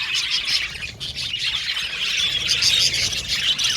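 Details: Budgerigars in a colony aviary chirping: a steady high twittering murmur with some clearer squawky notes standing out, a slight dip in loudness near one second, then dense chatter again.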